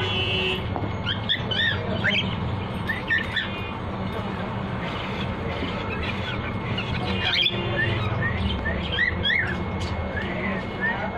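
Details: A talking cockatiel chatters in quick chirps, rising whistles and squawky, speech-like phrases over a steady hum.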